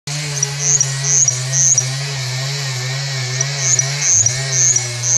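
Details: Russet bush warbler singing in short, high, thin buzzy notes in quick clusters, almost in sync with the loud, steady drone of a nearby chainsaw.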